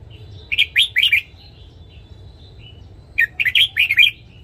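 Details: A caged red-whiskered bulbul sings in the morning, giving two lively phrases of four to six loud, clear, slurred notes separated by a pause of about two seconds.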